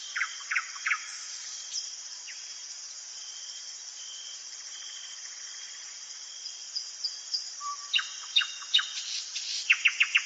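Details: Night song of a common nightingale in woodland: a few sharp descending notes, a long pause filled with steady high hiss, then a fast burst of clipped repeated notes near the end.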